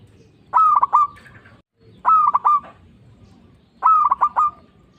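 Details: Local zebra dove singing eagerly, meant to stir other doves into answering: three loud, pulsed coo phrases in quick succession, roughly every one and a half seconds.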